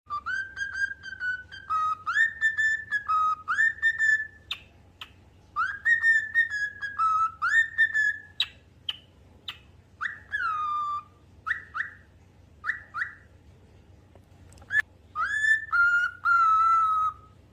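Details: Cockatiel competition entrant in Surabaya whistles a clear, tuneful melody of rising and sliding notes with short pauses.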